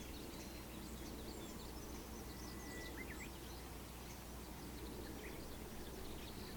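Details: A Japanese bush warbler gives a faint, long level whistle followed by a quick rising flourish, over a steady low rumble and scattered high chirps from other birds, recorded 26 May 2019.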